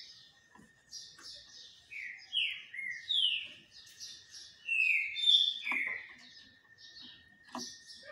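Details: Green-winged saltator singing while sunbathing, a steady series of downslurred whistled notes with higher chirps overlaid and occasional clicks and taps.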